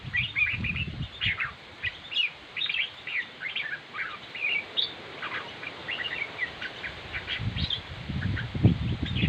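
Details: Red-whiskered bulbul chattering continuously in fast, varied whistled and chirped notes throughout, over steady low-pitched background rumble.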